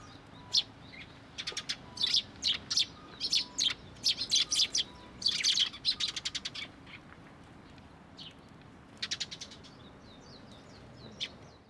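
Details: Several sparrows at a shrine fence post, coming to be fed in April 2023, give busy strings of sharp high chirps, densest in the first half, then sparse notes after a pause, with a low background hum.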